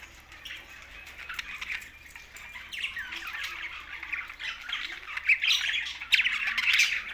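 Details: Pet budgerigars chattering in a continuous warbling, scratchy stream that grows louder and busier toward the end, with brief sharp squawks.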